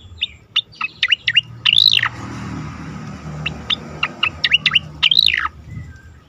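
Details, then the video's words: Asian pied starling song for training competition birds: staccato chirps interspersed with two long arched whistled notes, the second near the end, over light background hum. "khas cica koreng suara shahduh sangat bagus untuk masteran burung lomba"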